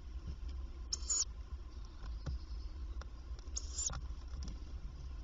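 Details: Tawny owl at a nest box by day, where the female visits several times to feed the young; two short, harsh, hissing bursts about three seconds apart over low background rumble.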